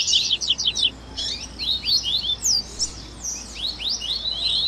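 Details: High, lively 'baderninha' chatter of the Double-collared seedeater, used as a warm-up to get a captive bird singing; bursts of quick zigzag chirps, then slurred whistles and sweeping upward notes, irregular in pace.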